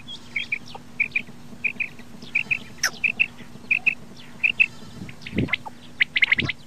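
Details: Common quail calling with short clipped paired notes in a steady series, about one pair every 0.6 seconds, then a closing burst of sharper overlapping chirps and a few low thumps.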